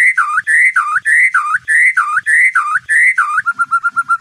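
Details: Indonesian White-rumped shama night-lure song for contest training: a series of rich whistled phrases that curl down and back up, then a quick run of short even notes.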